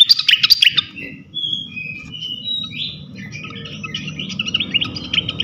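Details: Flycatcher (sikatan) song used to provoke rival flycatchers: opening burst of sharp chips, then drawn-out pure whistles, followed by a soft, continuous twittering warble.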